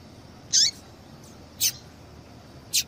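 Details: Female yellow-bellied seedeater calling to stir a male into song. Three short, high, sharp chirps, each with a downward-sweeping tail, spaced about a second apart, over a soft steady hiss.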